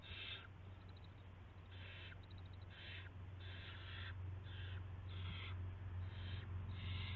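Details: Owl at a nest early on the morning of March 9, 2016, when a rat is delivered: eight or so rasping, breathy hisses in quick, uneven succession, with faint ticking notes between, over constant low background hum.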